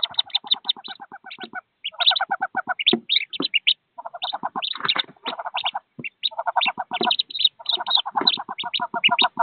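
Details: A brood of thirteen wood duck ducklings leaving their raised nest box to join the mother and head to the river. Bursts of rapid, lower pulsing notes alternate with clusters of sharp high peeps throughout.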